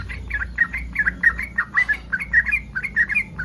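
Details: Yellow-vented bulbul in breeding condition, singing to provoke rival bulbuls: quick bubbly chirping phrases repeated steadily, over a noticeable low background rumble.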